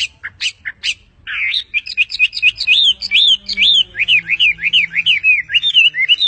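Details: Perched on a person's hand, a bird opens with several sharp high chips, then breaks into a steady, continuous warble of quick up-and-down whistled notes.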